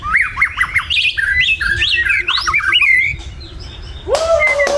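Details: White-rumped shama in morning song: lively, rapidly changing whistles rising and falling for three seconds, a brief gap, then one lower drawn-out whistle.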